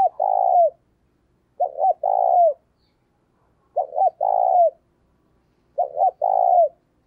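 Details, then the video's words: Spotted dove decoy coos steadily to encourage another dove to call: four phrases roughly every two seconds, each a paired short double note then a long smooth coo with a downward tail, in a quiet setting. "Tiếng Chim CU Gáy Mồi Gáy Sung - Dùng Kích Bổi Siêng Gáy"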